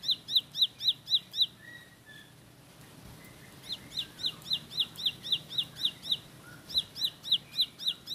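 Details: Bar-winged prinia (ciblek sawah) song: rapid bursts of sharp, high chirps repeated about four times a second, broken by a short pause filled with a few softer, lower slurred notes before the chirping resumes.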